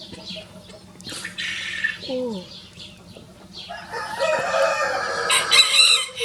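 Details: Rosecomb bantam show roosters, free ranging as a pair, heard in a crowing duet: a short low curving call early, then a long, loud, harmonic crow sustained for over two seconds toward the end.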